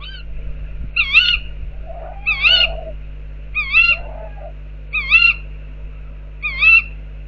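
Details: Tawny owls near an owl box give five evenly spaced, quavering two-part calls, roughly every 1.4 seconds, with a softer lower wavering note twice and a steady background hum.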